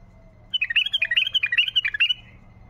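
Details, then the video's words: A wild bulbul's tayyariyat song, meant to rouse silent bulbuls: a quick run of warbled, bubbling whistles, fairly even in rhythm, lasting about 1.6 seconds. "طياريات بلبل وحشي لفتح البلابل القافله"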